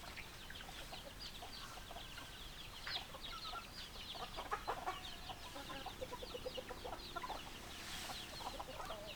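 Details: Domestic chickens, hens and roosters together: nonstop overlapping clucking and squeaky chirps from a crowded flock, swelling briefly in the middle, over a steady hiss.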